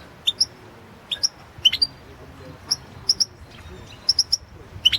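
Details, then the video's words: European goldfinch, competition recording from the 2016 world championship, giving spaced pairs and triplets of clear high chirps, tinkling and slightly rising, with quiet background rumble. "Pesma štiglića 008/ 2016 Aleksandar Denčić World championship in Goldfinch Song 2016"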